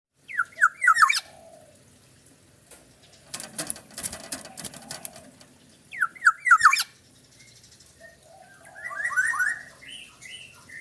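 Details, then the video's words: Black-naped oriole, described as very fierce, singing bursts of three or four quick slurred falling notes, repeated in phrases, with rattling clatter between them. "kepodang unik super galak"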